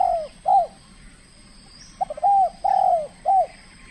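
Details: Trained spotted dove in its first calling contest, said to be aggressive and showing its skill: short arched hooting coos in a loose series of two notes, then a pause, then three more notes, clear over faint hum.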